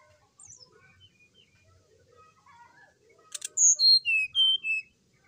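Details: Brown-chested jungle flycatcher morning song, a recording used to prompt another bird to sing. Soft scattered chirps come first, then a short sharp burst and four loud, clear whistled notes that fall in pitch one after another.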